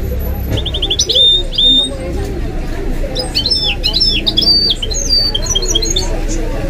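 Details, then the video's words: Goldfinch and canary hybrid, a kept mule, delivering bright phrases of quick rising chirps and slurred whistles in two bursts, over the steady murmur of televised football commentary. "The maestro's singing is amazing - the goldfinch hybrid"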